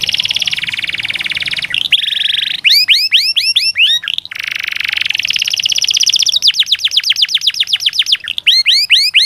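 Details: Canary song used as therapy to prompt lazy, non-singing canaries to start singing: loud dense buzzy trills alternating with rapid series of sharply rising chirps, continuous and energetic, with faint low background hum.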